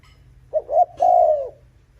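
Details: A single coo phrase from a Spotted dove, used to draw in rival males: a short low note and a brief pause, then a long, smooth, gently falling coo.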